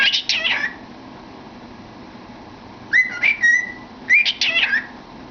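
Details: Pet cockatiel singing and chattering with its head in a cardboard tube indoors; a warbled phrase, then after a pause a level whistled note and a further burst of warbling twitters.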